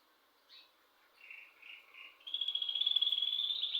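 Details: At home, a bird gives a few soft, separate chirps, then breaks into a loud, sustained, very rapid high trill that runs to the end.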